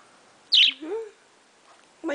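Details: A baby pet parakeet chattering in the morning gives a sharp, scratchy high chirp, then a short warbling rise at a lower pitch, with another chirp beginning at the end.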